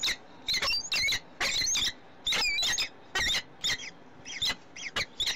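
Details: Peregrine falcon in Brussels, Belgium, evening of 8 April 2015: grating, squeaky call bursts in uneven groups with short gaps, some carrying thin rising or falling whistled tones.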